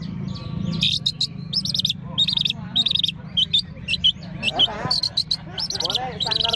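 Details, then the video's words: Caged long-tailed shrike performing at a bird singing contest, hung on a contest pole: bursts of sharp, high chattering notes and short trills in quick series, over crowd chatter and a low background rumble. "Tampilan real lomba burung cendet diatas gantangan"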